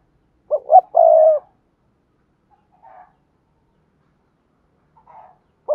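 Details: Spotted dove cooing "thúc gù" to train new doves to coo. One phrase gives two short hoots and then a long low coo. A faint murmur follows in near silence, and the start of another hoot comes at the end.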